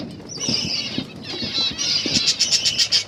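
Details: Caged finches eating egg food, heard with a thin high chirping run that ends in a fast series of sharp, evenly spaced tweets, over light pecking taps and rustling.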